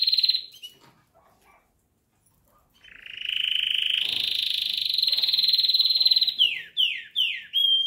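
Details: Pet canary singing, at first mistaken by its owner for a blackbird: a brief high whistle, a pause, then a long fast buzzy trill held for over three seconds, ending in a series of quick downward-sweeping notes.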